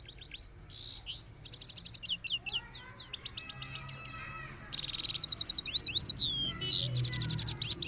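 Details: European goldfinch song: rapid, dense twittering of high, sharp notes, buzzy trills and quick rising and falling slurs in rolling phrases, with a faint low hum underneath.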